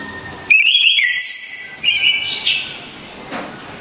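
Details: Orange-headed thrush with sharp, very clear, loud song used for tutoring songbirds; a rapid whistled phrase with a high squeal, then a softer rising warble, and a faint short note near the end.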